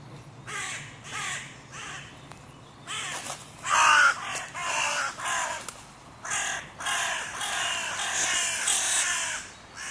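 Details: Crows calling at a music pavilion in König-Albert-Park, where the territory borders of three breeding pairs meet and are hotly disputed: a rapid series of harsh, hoarse caws in irregular bursts, some overlapping.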